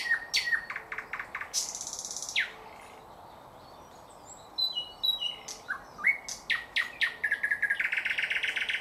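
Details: Thrush nightingale singing in 2024: a varied run of sharp clicks, pure high whistles and quick chattering notes, with a brief pause midway, ending in a fast series of buzzy repeated notes.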